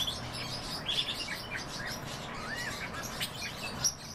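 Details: A breeding pair of pine grosbeaks uttering quick chirps and short curved whistles, some rising then falling, spaced irregularly every fraction of a second, with low rumbling background noise.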